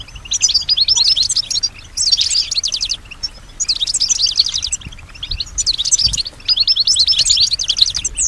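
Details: European goldfinch, female, singing in musical response to nearby sounds: rapid high twittering phrases of fast repeated notes, in bursts about a second long separated by short pauses, five phrases in all.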